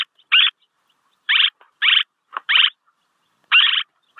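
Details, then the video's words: Swallow calls, a recording meant for luring: short buzzy chirps in bursts of about a quarter second, spaced irregularly with silent gaps between them, with no other sounds present. "ສຽງນົກແອ່ນ ຄໍເລດ(ສໍາລັບຕໍ່) Tiếng én, Tiếng Chim Én เสืยงนกแอ่น"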